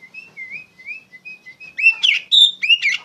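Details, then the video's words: Loud song of an Oriental magpie-robin meant for tutoring other songbirds: a string of soft, short rising whistles, then strong, high, ringing notes and quick downward sweeps. "PANCINGAN KACER NGEPLONG GACOR SUARA LANTANG COCOK UNTUK MASTERIN POCI BAHAN"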